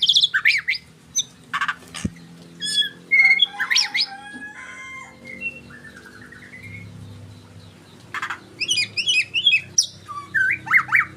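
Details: White-rumped shama singing a rich, varied song: sharp notes, buzzy trills and clear whistles, a quieter pause midway, then a fast run of rolling, looping whistled phrases, with a low steady hum beneath.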